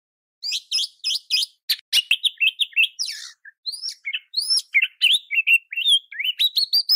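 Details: Kacer (oriental magpie-robin) singing continuously as a master song for other kacer: dense rhythmic sequence of sharp rising whistles, rasping bursts and sweet slurs, nearly unbroken throughout.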